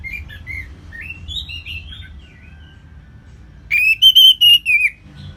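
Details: Orange-headed thrush (Geokichla citrina), a kept bird: a run of soft, varied whistled notes ending in a loud, rich warbled phrase of about five rapid rising-and-falling notes, with faint background hum.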